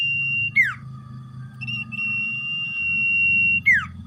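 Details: Very tame, actively singing common iora, locally called cipo or sirdung: a long steady pure whistle drops in a quick slur to a lower sustained whistle, then the high whistle resumes and slurs down again, over a soft low hum.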